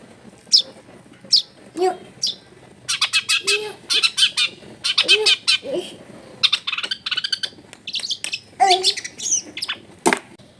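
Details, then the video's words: Vigorously singing long-tailed shrike with a song full of fill-in phrases, used as a lure for other shrikes; dense bursts of high scratchy chatter and rattles, broken by short lower squawk-like notes. "CENDET GACOR FULL ISIAN MEWAH SUARA JERNIH"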